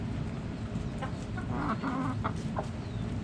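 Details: Backyard chickens giving a few low, throaty clucks spaced about half a second apart, against heavy low-pitched background noise.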